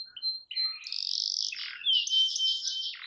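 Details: Canary singing, offered as a prompt for a silent canary: soft notes, then buzzy rolling trills and a bright sustained warble, loud and close.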